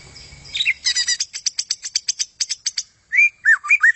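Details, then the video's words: White-rumped shama song for contest-bird training: rapid rattling series of sharp notes, then a pause and several looping whistled slurs. "SUARA Murai Hutan bagus buat isian Kontes"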